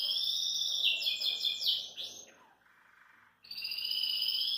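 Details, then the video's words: Belgian canary singing while relaxed at a kitchen sink: rapid, bright warbling rolls and trills that pause briefly, then resume as a sustained high ringing trill, with no other clear sounds. "Canário Belga Descontraido Canta na Pia da Cozinha"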